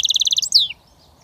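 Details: Short fragment of a goldfinch mule's switty song: a fast, even run of about eight buzzy pulses, then a single loud upslurred whistle dropping away, followed by silence.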